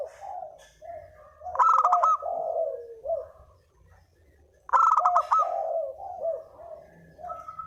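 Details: Spotted dove lure calling, with two loud buzzy bursts each trailing into a series of low, husky cooing notes, and soft coos between them.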